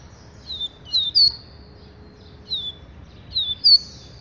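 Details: High, thin descending whistles from a double-collared seedeater, given singly or in pairs about a second apart, each note clear and sliding down; a faint steady hum runs underneath.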